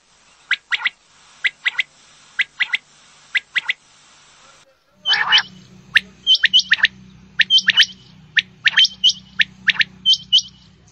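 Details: Female common quail calling: short sharp notes in quick pairs and triplets, repeated every second or so, with an abrupt splice into louder, denser calls over a faint low hum.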